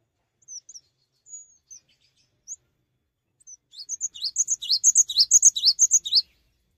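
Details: Cinereous tit singing in lively gacor style without hopping about: a few soft high single notes, then a fast run of sharp two-note high phrases that grows louder and stops abruptly.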